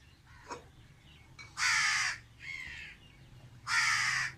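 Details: Single crow crying in a tree, with three rasping caws spaced about a second apart, the first and last loud and long, the middle one softer.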